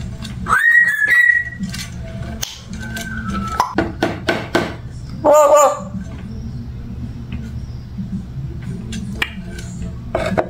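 An African grey parrot gives a rising whistle, then a warbling, wavering note and scattered clicks, over a low background hum.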